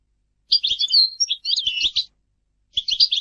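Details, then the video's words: European goldfinch delivering short phrases of liquid, tinkling twitters mixed with slurred whistles, a pause, then a brief renewed burst; faint low knocks underneath. "Goldfinch singing - canto del cardellino"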